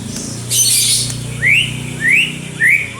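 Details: White-rumped shama song used as a lure to provoke other birds to sing: three clear, rising whistled notes spaced about half a second apart, after a brief hissing burst, over a steady low hum.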